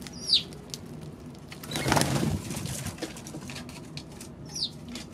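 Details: Eurasian tree sparrow on March 16: two short, high chirps that slide downward, one near the start and one at the end, separated by a rushing noise burst over steady background patter.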